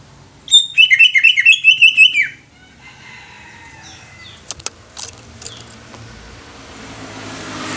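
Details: Greater green leafbird song: a quick run of about ten loud, clear whistled notes lasting under two seconds, then quiet rustling and a few faint clicks.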